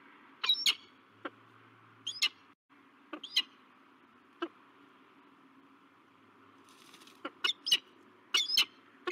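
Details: Peregrine falcons at a nest cam on a bluff at La Crescent, USA, 16 March 2023, a male meeting a new female: sharp, harsh high calls in short bursts and paired notes, irregularly spaced, over a steady low hum.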